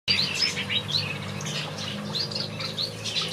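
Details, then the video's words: Lively finch song in a backyard aviary: sweet, slurred high notes and quick trills overlapping, with a low hum beneath. "Watch these finches sing a beautiful melody in my backyard"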